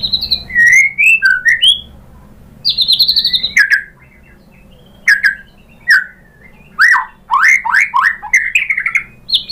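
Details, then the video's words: White-rumped shama lure song meant to anger a rival into singing back: bursts of clear whistles and sharp downslurred notes in phrases about a second long, separated by short silences. "Pancingan MURAI BATU bikin EMOSI NYAUT GACOR BONGKAR MATERI ISIAN"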